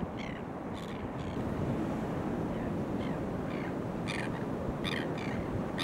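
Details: At a coastal reserve in Kurnell, NSW, crested terns (Thalasseus bergii cristatus) court in early September 2020. Irregular bursts of raspy, grating calls sound through heavy surf and wind noise.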